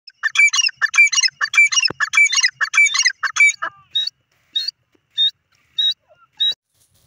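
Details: Grey francolin, called irani teetar, calling loudly: a run of about six harsh, ringing multi-note phrases in quick rhythmic succession, then several shorter, thinner single notes spaced about half a second apart.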